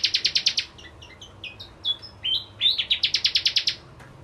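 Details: Lively bar-winged prinia lure song: a rapid series of bright clipped notes, a middle section of varied twittered slurs and chips, then a fresh fast run of loud, high, evenly spaced notes.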